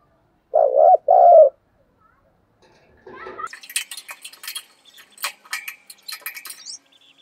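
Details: Decoy spotted dove cooing vigorously: a double low hooting coo, two wavering notes in quick succession, followed by a stretch of clicking and rustling noises.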